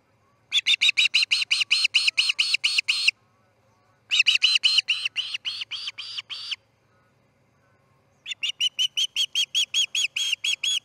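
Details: Osprey at the Charlo nest on 10 August 2018 around dawn, the day the chick C6 fledges: three rapid series of sharp whistled chips, each burst of about a dozen notes, separated by pauses.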